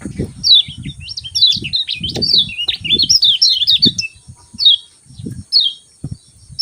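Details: A lemon-bellied white-eye's morning song: a continuous high, sweet jumble of quick rising and falling chirps, then spaced single notes. Repeated low thudding runs beneath.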